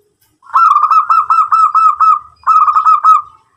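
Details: Actively singing local zebra dove, used to provoke other doves into answering: two bursts of fast, staccato cooing notes, a longer run of about nine beats followed by a shorter run after a brief gap.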